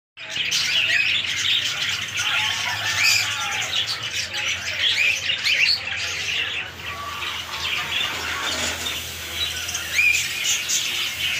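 A group of budgerigars chatters nonstop with warbling, chirping and squawky notes.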